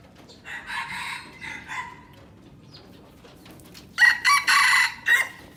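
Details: Aceh red junglefowl, a young pure wild-type bird used as a decoy, crows in a short loud broken series of four rough bursts near the end, after softer faint notes at the start, with quiet background.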